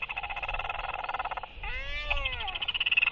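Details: Northern royal albatross giving a sky call during courtship displays, among four socializing birds at evening on 23 October 2023: rapid pulsed clattering, then a drawn-out arched moaning call with stacked harmonics, over steady wind.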